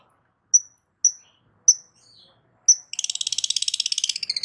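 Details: ['Long-tailed shrike singing loudly to provoke other shrikes into responding: four sharp, high whistled notes about half a second apart, a short pause, then a rapid buzzy trill of harsh repeated notes.']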